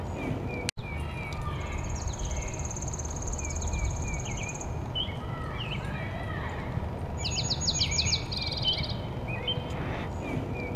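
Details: Male dark-eyed junco on breeding grounds near Kirtland, Ohio, 4 June 2015, singing an atypical Tennessee Warbler-like nesting-season song: a high rapid trill of identical notes about three seconds, a brief second trill, other birds chirping, low rumble.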